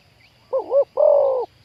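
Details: Wild spotted dove lured for trapping, deep 'khu-ang' voice: one phrase of a wavering, dipping double note followed by a long, even, hollow coo, with a faint chirp beforehand.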